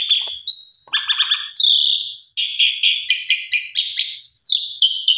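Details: Pied myna song used as a lure to get silent pied mynas singing: a clear rising whistle, then a run of sharp repeated buzzy chirps with brief pauses and a bright whistled phrase at the end.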